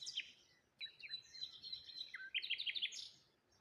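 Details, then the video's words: Birds chirping in the morning by the water, lone tree and rose hips nearby: sharp opening notes, a chain of level whistled tones, then a quick rattling series of bright chirps. "Morning Birds Sounds"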